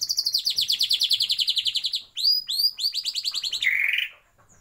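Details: Caged white-rumped shama in a breeding aviary giving a rapid, rolling trill of high repeated notes for two seconds. It is followed by clearer upslurred whistles and another fast trill, ending in a lower buzzy note.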